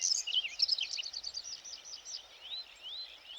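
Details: Whinchat male singing in the morning sun on 20 June from meadows by the Vistula near Przegalina/Błotnik, perched high on a stalk and turning its head. A fast burst of high, scratchy chattering, then rising whistled slurs that weave in Common Rosefinch, Black Redstart and Eurasian Curlew phrases. Light hiss.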